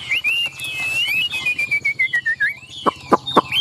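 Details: A tame, caged Chinese hwamei pours out a long, sweeping whistled phrase that drifts slowly downward, then sharp tapping clicks follow near the end.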